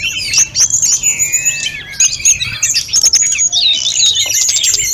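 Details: Snowy-browed flycatcher singing vigorously, its phrase-filled song used to train other birds: thin high whistles, a pair of long downward-gliding notes, then busy chattering twitters.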